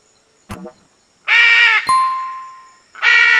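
Two loud, harsh, grating squawks from a red-and-green macaw, about a second and a half apart, with a short ringing metallic ding between them.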